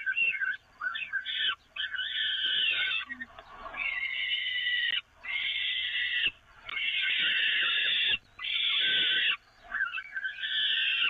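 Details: Feeding time for peregrine falcons on the Evoluon grating, 13 May 2018: a series of about eight loud, scratchy screams, each lasting roughly a second, separated by short silences.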